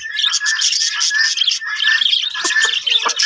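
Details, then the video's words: Breeding colony of budgerigars, a thick layer of warbling chatter and squeaky calls, steady throughout with a few sharper notes near the end. "budgies parrot colony setup"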